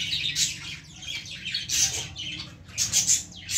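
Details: Baby lovebirds in a plant give sharp, piercing chirps and thin squeaks in quick clusters separated by brief dips.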